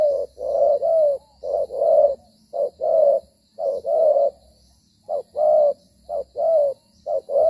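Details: Cooing of a spotted dove decoy at a dove trap in Vietnam, calling as it shifts and fights; loud mellow coos in an uneven rhythm of brief and longer notes, with a short pause midway.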